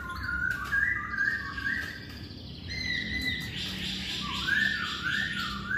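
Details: Masked laughingthrush, poksay hongkong, lure song to make males sing: overlapping whistled phrases rising and falling, somewhat muffled, with a steady background hiss.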